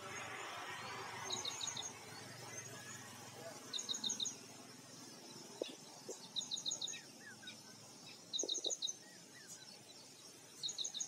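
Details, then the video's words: Red-wattled lapwing (Vanellus indicus) in Maharashtra, India, giving sharp, high, metallic notes in quick bursts of three or four, repeated every two to three seconds, over soft background hiss and faint other birds. "Red-wattled lapwing टिटवी"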